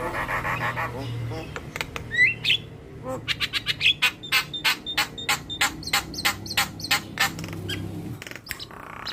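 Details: Javan myna in energetic song, preceded by brief human voices. A sharp whistled slur gives way to a steady series of harsh, clipped notes, about three or four per second, lasting several seconds.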